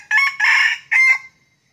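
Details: Wild red junglefowl drawn in to a decoy during a luring session: one loud, clipped crow in three bursts, a short harsh opening note, a longer rasping middle section and a final note trailing off, all within about a second and a half.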